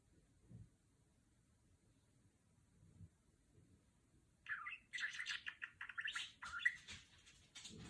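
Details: Female pet budgerigar indoors, chattering in imitation of R2-D2 from Star Wars: after four quiet seconds, a rapid run of buzzy, warbling electronic-like notes and short whistled bleeps, dense and uneven, lasting to the end.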